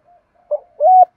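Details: Spotted doves, male and female, cooing to coax newly caught captive doves into calling: a faint short note, then a clipped coo and a longer level coo.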